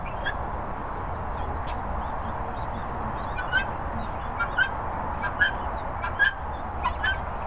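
Helmeted guineafowl keets give short, high chirping peeps over a steady rushing background hum.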